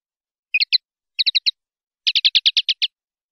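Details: Common linnet singing a 'limpio' (clean) song style from a 2019/2020 recording for bird-keeping fans: three short bursts of high chirpy twittering notes, the last a fast run of about eight notes, with silent pauses between.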